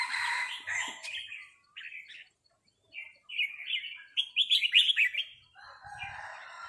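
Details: A resident red-whiskered bulbul and a newcomer exchange 'rik' calls. A loud warbled opening is followed by a pause, then short rising chirps build into a bright, rapid run of notes.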